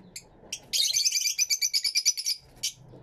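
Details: Caged Fischer's lovebirds in an aviary, recorded in stereo: a dense, rapid string of piercing high chirps lasting over a second, then one more sharp note after a short break.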